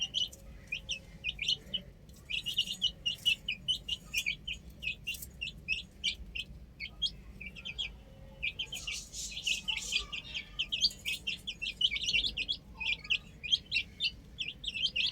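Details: Many chicks playing on a roof give dense, rapid high peeps, short chirps overlapping almost continuously for fifteen seconds, with brief pauses near two and eight seconds and a faint low background hum.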